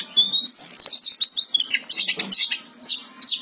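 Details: Kacer (Oriental magpie-robin) in gacor song, opening with a long rising whistle that flows into fast jumbled warbling, scratchy trills, then a few separate high chirps near the end.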